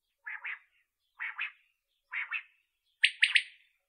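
Common quail giving four short, liquid double-noted bursts about a second apart, the last one sharper and three-noted; no other sounds.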